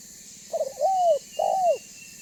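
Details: Banggo-style spotted dove coo, used to lure rival doves to answer and approach: a quick stuttering pair of notes, then two long, smooth, arched coos in a clean, quiet background.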